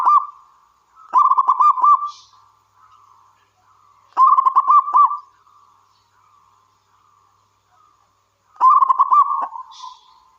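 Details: Local wild zebra dove singing persistently, three loud bubbly phrases of fast stuttering notes each ending in a smooth sustained coo, about every three to four seconds, with soft level coos filling the pauses.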